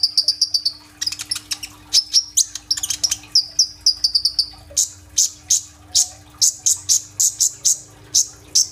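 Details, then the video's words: Vigorous kolibri ninja sunbird song used to coax other birds into singing: a varied opening of sharp, high notes and slurred trills gives way to a steady run of loud, evenly spaced piercing chips. "BURUNG KOLIBRI NINJA GACOR FULL TEMBAKAN ISIAN ROLL TEMBAK ! AMPUH BUAT PANCINGAN KONIN BAHAN IJOAN"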